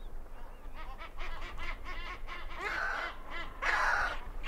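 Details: Great skua calling as it invades the territories of two adjacent penguin pairs: a quick series of nasal, yelping notes, about five per second, building into two louder, harsh braying bursts; low wind rumble underneath.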